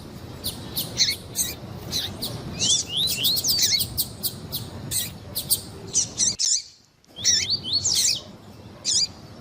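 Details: Double-collared seedeater song, combined with female calls, played to warm up and excite other seedeaters: rapid high whistled notes and sweeping slurs in dense bursts, with a brief silent gap near the end.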